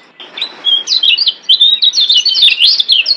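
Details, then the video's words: Master song from a Lombok kecial kuning (yellow white-eye) for training caged birds: a soft opening note, then lively, continuous high warbled twittering with rapid up-and-down slurs. "Masteran Kecial Kuning Ampuh Bikin Kecial DIAM Malas Bunyi Jadi NYAUT GACORRR"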